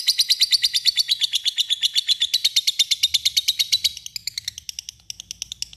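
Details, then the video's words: Long ngekek chatter from a lovebird calling a rival: a dense, piercing stream of rapid raspy notes, steady for about four seconds, then continuing more thinly and weakly to the end. "lovebird yang dengar pasti terpancing untuk bunyi dan ikutan ngekek panjang"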